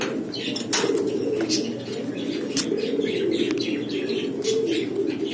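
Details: Barless blue Lahore (Siraji) fancy pigeons, a domestic rock pigeon breed, give low, rolling coos that hum together steadily, broken by a few sharp wing claps and light rustling.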